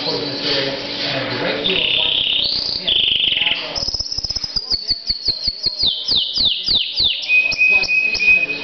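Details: Pet canary singing: high bright song that starts with sustained warbled tones and buzzy trills, then shifts into fast repeated notes and a series of quick descending whistled sweeps, ending in steady rapid trills.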